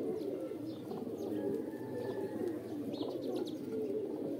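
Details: Mating calls of pigeons: low, rolling coos from several birds blend into a continuous murmur, broken by short brighter coo notes and scattered thin chirps from small birds.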